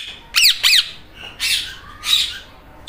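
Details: Green Indian ringneck parrot talking and mimicking a meow: two sharp descending squawks in quick succession, then two softer drawn-out raspy notes spaced about half a second apart.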